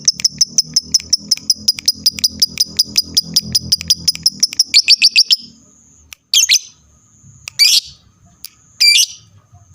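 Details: Lovebird calling to draw replies from other lovebirds: a long fast run of high, even ticking chirps for about five seconds, followed by three louder, harsh screechy bursts separated by short gaps, low hum below.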